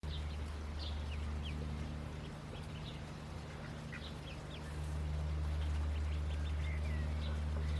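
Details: Indian Runner ducklings in the nest just after hatching: scattered short, thin, high peeps, some rising, heard over a loud steady low hum.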